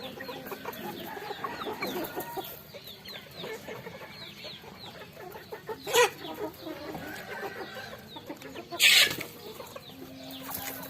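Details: Chickens eating rice on a farm, soft continuous clucking broken by two loud squawks, the second one harsh and high.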